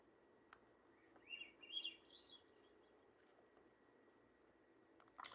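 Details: Swainson's thrush (Catharus ustulatus) song played back very quietly: a faint phrase of breathy, flute-like notes spiralling upward, over a steady electronic hum and room noise.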